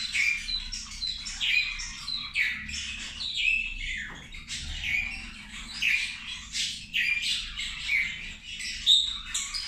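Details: Zebra finches feeding at lunch, calling with clear, short, nasal trumpet-like beeps repeated about every half second to one second, several birds overlapping, with little background noise.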